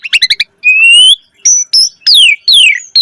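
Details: Asian pied starling singing as a lure for other starlings: quick stuttered chirps, then a long rising whistle, short level whistles and two long descending whistled slurs.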